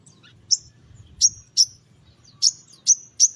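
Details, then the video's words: Spiderhunter chirping in the morning, used to lure small birds: single sharp, very high chirps spaced irregularly, about six in three seconds, in a quiet setting. "Sogon Pastol Gacor di Pagi Hari Untuk Pancingan Suara Pikat Burung Kecil Agar Emosi Nyaut Bunyi"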